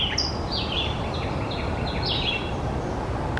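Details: White-eyed Vireo calls said to resemble R2-D2: a rapid string of short, high, downslurred chips and whistles repeated through the clip, several per second, with constant low-pitched ambient noise underneath.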